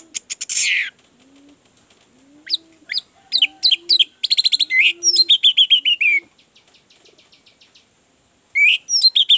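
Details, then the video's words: Orange-headed thrush song used as a lure to get a reluctant, silent bird singing: a bright burst, then rapid runs of high sharp notes and chattering phrases falling in pitch, with a faint low hum underneath. "Pancingan anis merah, agar cepat ngeplong"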